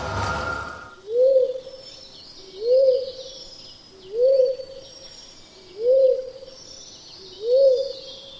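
Pink-headed fruit dove giving five low, soft hooting coos, each briefly rising then falling, about every one and a half seconds, over faint high chatter from other birds.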